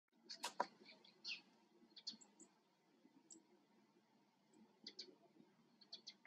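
Eurasian siskin giving short, high, thin chirps in scattered bursts, mixed with soft clicks and a low background hum.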